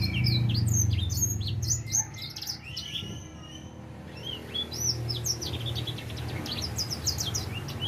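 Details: Young edel sanger finch, four months old, beginning to sing steadily, gives fast, varied high twitters and short whistled slurs, very densely packed, with a brief lull midway, over a steady low droning background hum.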